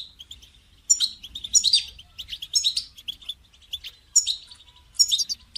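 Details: European goldfinch call for a caged bird that will not sing, meant to motivate it: rapid liquid twittering and high chirps in repeated bursts, fairly continuous, with a quiet low hum beneath.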